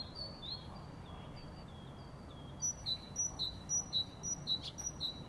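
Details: Sparrow with a few thin, drawn-out call notes, then a rapid string of crisp repeated chirps roughly three per second, against low, quiet background hiss.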